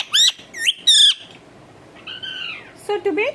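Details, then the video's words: Pet talking parrot calling indoors: three sharp, high upswept squawks in the first second, then a drawn-out arched call and a final lower wavering note. "bolane wala tota"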